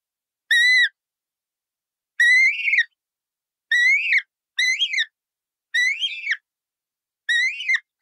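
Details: Colourful parrot producing six loud raucous calls, the first short and level, later ones longer, rougher and wavering, spaced one to one and a half seconds apart with no other sounds.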